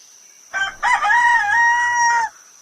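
A rooster crows once: a short harsh opening note, then a long, loud, strained crow held steady for over a second before cutting off.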